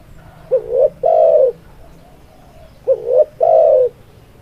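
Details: Tekukur, a spotted dove, cooing twice: a quick wavering rising note then a long full downward-sliding coo, the phrase repeating after roughly two and a half seconds against faint background hum.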